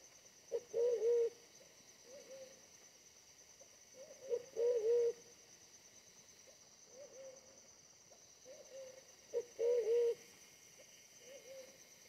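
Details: Fierce small-bodied wild pigeon during decoy trapping; three strong throaty coo phrases spaced several seconds apart, each with a short lead-in note, and softer coos scattered between them.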